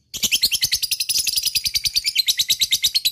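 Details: Ngekek song of a lovebird, used to get other lovebirds singing along. A nonstop rapid chatter of high, harsh notes, about eight per second, is steady and unbroken throughout.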